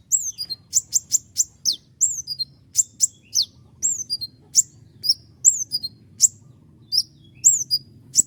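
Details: Common iora in full song, delivering long sharp 'tembakan' shots: very high, fast descending slurred whistles mixed with crisp clicking notes, repeated in quick bursts with short gaps, over a faint low hum.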